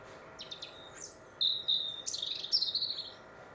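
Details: European robin in winter song along Warwickshire's Monarch's Way: short high ticking notes, a sustained thin whistle, then a rapid, loud, tumbling warble of fluty and scratchy notes over quiet hiss.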